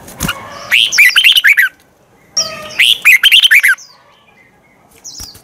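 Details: Morning song of a red-whiskered bulbul in the twisted-voice style, played to spur other bulbuls into competitive singing; two rich phrases of rapid chirpy, up-and-down notes about a second long, a faint click at the start.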